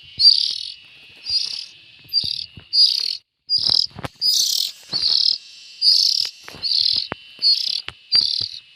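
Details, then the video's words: Young bulbuls calling with coarse, buzzy rasps in a quick series of about eleven, with clicks and handling noises between calls. "Tiếng chim chèo non"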